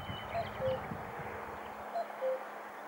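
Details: Common cuckoo in Sofia, Bulgaria, 1 May 2020, giving its familiar two-note falling 'cu-coo', twice about a second and a half apart, over a low background rumble.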